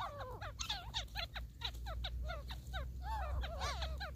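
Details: Wild grey francolin (grey partridge, teetar), filmed in a hunting context, giving fast, harsh, squealing notes that drop in pitch, several each second and overlapping near the end, over a steady low rumble.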